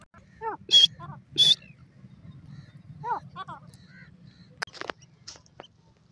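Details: Francolin calling; two loud, harsh, broadband bursts near the start, followed by quieter descending chirping notes and scattered clicks over a steady low hum.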